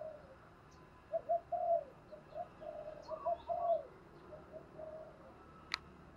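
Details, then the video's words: Spotted dove used as a decoy to lure others, voice described as 'thổ đồng': a long run of soft, hollow coos rising and falling over several seconds, then quieter trailing notes, with a single sharp click near the end and faint distant chirps. "Chim Cu Mồi Kích Bổi Nhanh Nổi Hiệu Quả"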